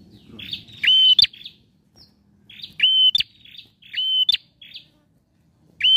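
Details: Male bar-winged prinia singing for prompting a silent bird: buzzy opening notes, then a steady high whistle and snapping click, repeated four times with short pauses.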